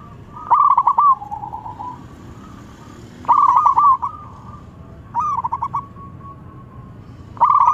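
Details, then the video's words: Local zebra dove calling out as a rival answers. Loud, stuttering coo phrases come every two seconds, with a softer, lower coo trailing after the first. A faint continuous hum sits underneath. "PERKUTUT LOKAL GACOR MEMANGGIL SEKALI DENGAR LAWAN LANGSUNG NYAUT"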